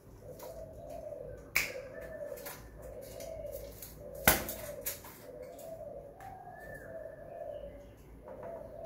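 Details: Spotted dove at home, repeated low coos in a steady series, broken by loud clacks and knocks in the room.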